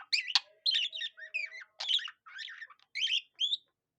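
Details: A budgerigar warbles a rapid run of chirpy, buzzy notes, sounding like a cockatiel's song, with bursts of high chatter and brief whistles over four seconds.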